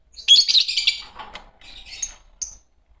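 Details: A green pair of Fischer's lovebirds singing and chirping: a dense burst of sharp high chirps and squeaky twitters, then a softer lower chatter and a few thin whistled notes.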